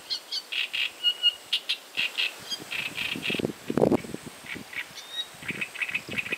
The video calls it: Lacar mare cantand - Singing Great Reed Warbler